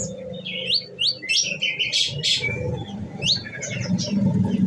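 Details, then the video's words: Caged olive-backed sunbird kept on nectar, uttering quick rising chirps and harsh bursts in rapid series, the 'nembak' shooting style, against noticeable low rumbling background noise. "bunyi nembak nembak"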